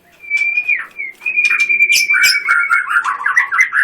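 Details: Loud, varied white-rumped shama song: a long steady whistled note, then rapid bursts of sharp chips and trills overlaid on sustained whistles, ending in quick warbled phrases.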